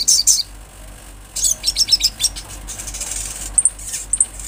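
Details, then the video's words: Wild olive-backed sunbird giving scattered short bursts of very high, sharp tweets. A brief chattering run comes in the middle and a few isolated squeaky notes follow near the end. "Sogon gacor suara Asli Alam"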